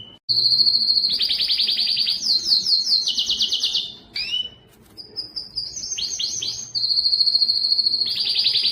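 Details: Strong, distinctive domestic canary song, a clean recording meant to spur males to sing and females toward breeding: long rapid rolling trills at a high steady pitch, switching to descending chopped tours, a brief pause, then renewed fast trills.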